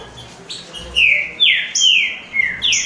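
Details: Three caged green-winged saltators singing against each other in a contest: loud, clear whistled notes that slide downward, given in quick succession, with thin high accents between phrases and a quiet background.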